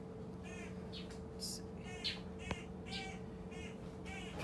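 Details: Crows outside a wildlife clinic give harsh, raspy caws about twice a second, heard indoors against a steady low electrical hum.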